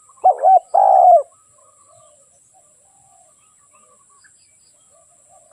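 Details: A single coo phrase from a decoy spotted dove used to lure wild doves: a quick wavering double note, then a longer, husky, downward coo, followed by quiet.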